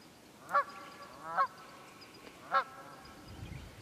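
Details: Three clear honks from wild geese in the Quehanna Wild Area, Pennsylvania, on 27 February 2018, spaced under a second apart, then a brief low rumble at the end.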